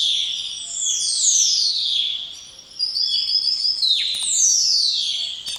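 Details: Spotless starling singing: long, loud whistles that slide steeply downward, with shorter level whistled notes between them and a sharp click near the end.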